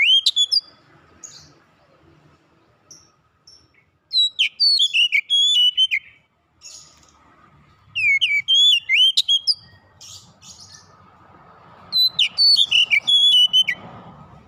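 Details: Oriental magpie-robin, kacer, calling to companions: loud bursts of clear whistled notes, sweeping and slurred between high and higher pitches, in phrases around 4, 8 and 12 seconds with quiet gaps between.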